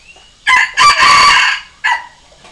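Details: Red junglefowl decoy crow used to call and challenge wild junglefowl: a loud harsh crow with a short opening note, a longer strained middle section and a clipped final note, over quiet background.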